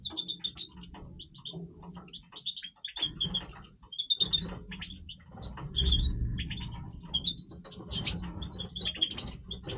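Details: European goldfinch of the Major type singing its breeding voice: scattered bright chips and tinkling twitters in short clusters, quieter mid-clip, with a low rumble and hum behind.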